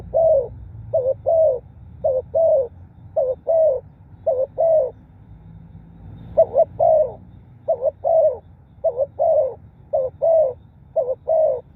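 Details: Wild-bird lure of a spotted dove's cooing: a long run of about ten paired phrases, a quick broken coo then a longer mellow falling coo, evenly paced about every 1.1 seconds over quiet low hum.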